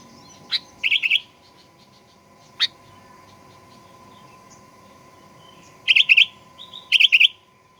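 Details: Sooty-headed bulbul song used to goad other birds into aggressive song: sharp single clicks followed by short bubbly rolling phrases, one early and two close together near the end, over a constant faint hum.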